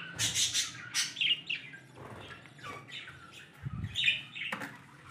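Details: Newly hatched budgerigar chicks give harsh, high chirps and scratchy squawks in quick, uneven bursts.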